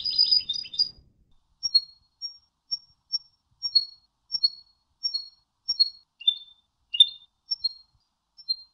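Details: European goldfinch, training song for teaching birds: a brief burst of high twittering, then clear, thin, high notes repeated about every half second, some paired or slightly falling, in a quiet background.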